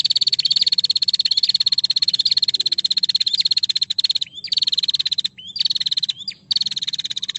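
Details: Female prinia in full call, a rival replying straight away; an unbroken high, buzzy chatter of quick even ticks, later split into short runs with brief pauses and small upward-swept note starts.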